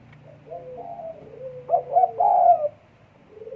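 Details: Spotted dove in breeding condition: soft low coos lead into two short notes and a long, loud drawn-out coo, ending in a faint coo.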